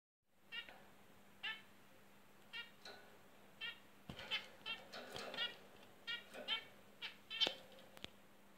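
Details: Zebra finches (Taeniopygia guttata) give short, nasal, toy-trumpet-like honking calls, scattered and overlapping at irregular intervals.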